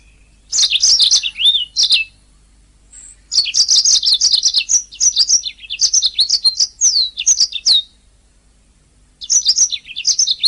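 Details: Canary song used as a master recording for training singing canaries: bursts of fast, high twittering with sweeping whistled notes and short trills, separated by brief pauses, over a quiet background.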